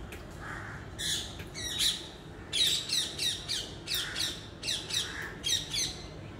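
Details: A parrot calling: a run of sharp, rasping squawks, many sliding downward, repeated about every half second, over a steady low background hum.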